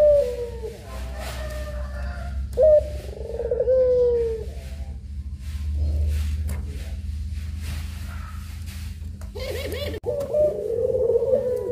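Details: Puter pelung dove delivering a series of long, wavering coos with gaps between them, accompanied by scattered clicks and knocks and a steady background hum.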